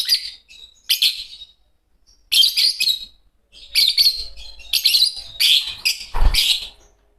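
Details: Green pair of Fischer's lovebirds singing, with loud piercing chirps coming in irregular clusters, often two or three quick squeaks together, and a soft thump near the end.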